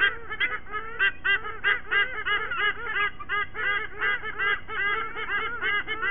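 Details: White-bellied sea eagles, a pair joined by their two chicks at their nest in Sydney Olympic Park, Australia, in a morning singing ritual on 29 September 2023: loud, rhythmic, goose-like honking calls repeated rapidly and steadily throughout, voices overlapping.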